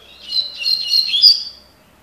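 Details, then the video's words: Spirited double-collared seedeater singing 'tui tui' style: a clean, fast, high warble lasting just over a second, several quick trilled notes ending in a sharp upward accent, with a quiet background. "COLEIRO TUI TUI (TOCÓ)"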